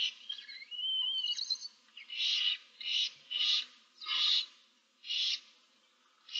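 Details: Chorus of barn owl chicks in a nest box with seven young, 15 March 2024: a thin wavering whistle-like note, then a run of breathy hisses about a second apart.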